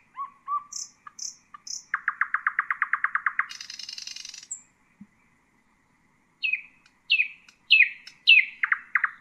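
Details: Nightingale song meant for tutoring young birds: soft low whistles and high short notes, a rapid rattling series, a high buzzy burst, silence, then loud down-slurred strophes.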